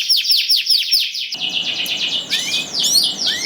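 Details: Canary singing to coax other canaries: rapid high downslurred notes in a fast run, then a rolling warble with rising swoops over faint background hiss.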